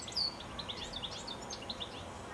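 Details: Brief, faint burst of goldfinch song from a telephone wire high up in the evening just before sunset: a rapid run of high, sweet twittering notes and short chirps over light background noise.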